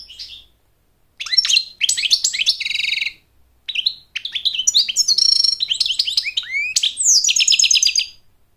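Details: An American goldfinch sings to win a mate and teach its young to sing, opening with a short note, then bursts of quick chirps, buzzy trills and descending slurs after a second of silence.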